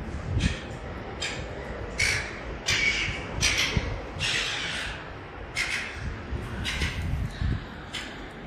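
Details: A very young juvenile silver gull running around Bridge Mall, Ballarat, Victoria, Australia, gives harsh, rasping squawks, roughly one a second in uneven runs, over a low rumble of street noise.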